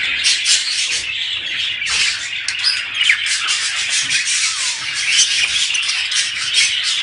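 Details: Busy budgerigar flock chatter said to stimulate mating, overlapping squeaky warbles and grating squawks in a constant stream, a short downward-sliding whistle appearing briefly partway through.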